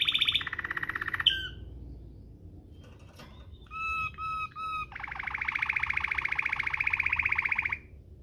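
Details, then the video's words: Canary singing in Waterslager style, a tutor recording: fast rattling rolls, a pause, three short even whistled notes, then a long steady buzzy roll lasting about three seconds. "NGEROL MEWAH ala WATERSLAGER, cocok buat Masteran burung kenari cengkok mewah"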